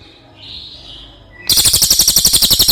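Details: Cililin used as master song for other birds: a faint whistle first, then an abrupt, loud, ringing trill of quick even pulses.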